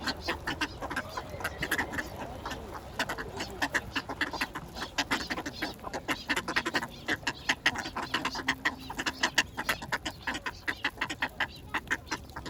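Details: Feeding ducks offered bread keep up rapid, clattering quacks, sparse at first, then growing into a dense, loud volley of short notes in the second half.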